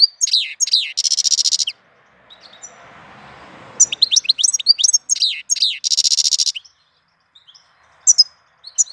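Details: April birdsong with bursts of high rapid chirps and dense buzzy trills, two song bouts separated by a quiet stretch with faint background noise.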